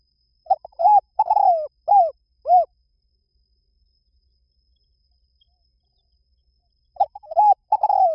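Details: Spotted dove repeating its low, mellow cooing phrase twice with a pause of about four seconds between. Each phrase has quick opening notes, a long downward coo and arched closing coos.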